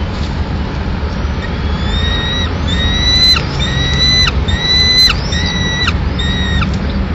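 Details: Peregrine falcon, Madrid, 24 May 2016: the mother brings a pigeon to feed the chick remaining in the nest. About seven strained, level wails come roughly once a second, rising in loudness, above a strong low-pitched urban hum.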